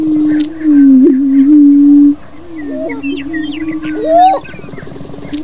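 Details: Greater prairie chicken cock booming during a spring breeding display. A loud, low, hollow hum is sustained for about two seconds. A quieter gap follows with wavering tones, a rising whoop and scattered high chirps, before the hum returns.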